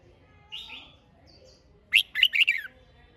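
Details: Red-whiskered bulbul giving a soft warbled note, then a loud burst of four or five clear whistled notes; steady low background hum throughout.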